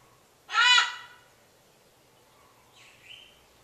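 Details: A neighbourhood bird giving its loud kwaak call in the morning, 23 January 2014: one harsh, nasal squawk lasting about half a second with stacked harmonics, then a faint, higher squeak and a quiet room background.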